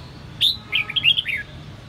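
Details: Caged red-whiskered bulbul from Sông Kon singing during voice training: one clear upswept whistle, then a short tumbling string of liquid, slurred notes, with a soft steady hum behind.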